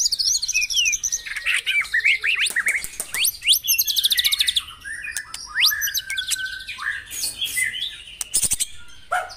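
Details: Morning white-rumped shama song used to stimulate caged songbirds: a rich mix of whistles, sharp upward sweeps and buzzy rapid trills, with dense chattering phrases and brief pauses.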